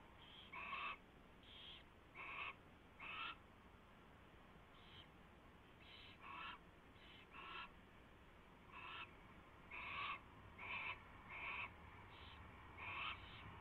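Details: Owl nest scene before dawn, 4:21 AM on 24 February 2016, as a mouse is delivered and fed. Rough, breathy screeches come in uneven runs, roughly one or two a second, with faint background hum.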